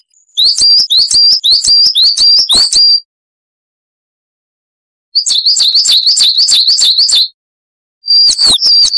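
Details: Coal tit singing, recorded for teaching cage birds: rhythmic bouts of high, sharp 'wi-chu' double notes repeated quickly in three strophes, each about two seconds long with clean silences between.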